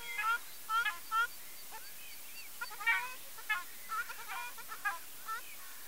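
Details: Ruddy shelduck giving loud, nasal honking calls with a harmonic, slightly downslurred quality. The calls come in short bursts, several in quick succession. Overlapping honks in the second half suggest more than one bird calling, against a quiet, steady background.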